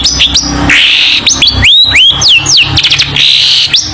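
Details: Long-tailed shrike song used as a model for teaching young shrikes: loud, varied medley of harsh buzzy bursts mixed with clear whistled rising and falling slurs, rapid repeated chirps, continuous and dense throughout.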